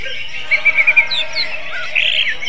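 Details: Greater green leafbird song in kacer style: a fast run of four or five bright whistled pips, then softer slurred notes and a rough burst at the close.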